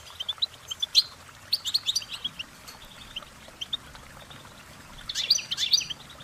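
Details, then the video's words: Goldfinch song in scattered form: soft short chirps and twitters spaced out over several seconds, ending in a brighter cluster of rapid warbled notes. "Uplifting Chirpings Motivational Goldfinch Singing their Song"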